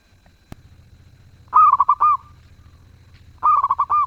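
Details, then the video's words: Zebra dove in full melodious song. A sharp click precedes two loud trilled coo phrases about two seconds apart. Each opens with a rising note, stutters through several fast beats and ends on a sustained coo. "Perkutut gacor suara merdu"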